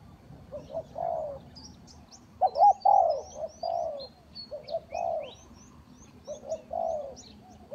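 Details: Spotted dove used as trapping lure, mellow low coo phrases repeated in groups of two or three, while many small birds keep up a busy high chirping chatter above.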